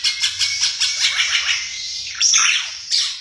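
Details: Ara Mata Merah, a bird endemic to East Nusa Tenggara, Indonesia, singing a fast series of high, sharp, repeated notes that blur into a chatter, followed by louder squeaky, rising notes with short gaps between them.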